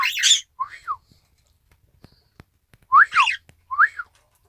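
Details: Isabelle pearl cockatiel, a pet, copying its owner's whistled phrase; clear two-note whistles sliding up then down, given in pairs with pauses between, quiet room, recorded 1 December 2018.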